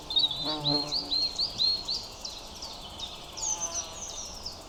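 A European robin sings a high, thin, tumbling warble of quick whistles and trills, pitch sliding up and down, over a faint steady hum.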